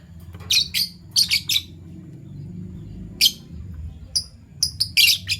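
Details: Fischer's lovebirds, PB violet and Euwing gold opaline, caged pets heard in the morning: sharp high chirps in quick pairs and clusters, a burst near the start, another mid-clip, then a dense run of harsh chirps at the end.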